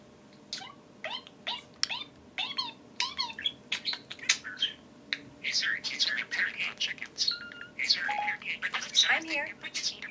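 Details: Two pet parakeets, Kiwi dominating and Pixel joining in, chatter back and forth in quick, squeaky warbles, sharp chirps and rasping squawks, with brief descending whistles and a faint household hum underneath.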